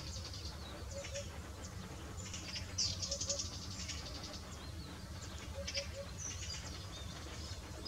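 A lesser grey shrike gives short, scratchy high chirps and squeaky notes at irregular intervals over a steady low rumble of wind.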